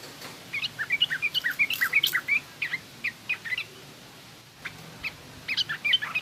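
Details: Song of a yellow-vented bulbul in garuda and coarse ngriwik style, played to teach juveniles: a long run of rapid staccato chirps, a short silence, then more quick twittering notes over a hissy background.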